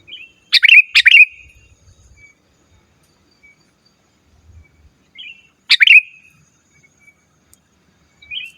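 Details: Sooty-headed bulbul, a loud singer used to call rivals and as a tutor recording for cage birds, gives short bubbly phrases: sharp notes dropping into quick liquid warbles, two bursts about five seconds apart, otherwise quiet.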